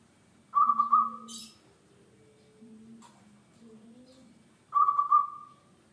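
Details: Singing local zebra dove, kept as a lure to set other birds singing: two rapid, trilled mid-pitched coo phrases about four seconds apart, a brief high chirp after the first, and a soft low background hum.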